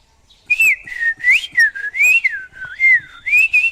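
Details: Leafbird song: loud clear whistled phrases sliding up and down, each swoop about half a second, delivered in a near-continuous run with short breaks and faint clicks.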